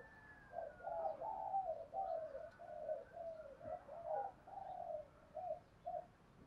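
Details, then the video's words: Spotted dove cooing, a faint run of soft low hooting notes repeated irregularly over several seconds against a steady background hiss. "Tiếng chim cu gáy thúc gù giọng thổ hay"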